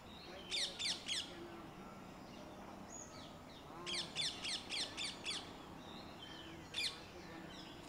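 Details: Red-vented bulbul in its natural garden habitat, giving rapid bursts of sharp, high chirps: three quick notes, then a run of five, then a single chirp, with soft background calls and low ambient hum.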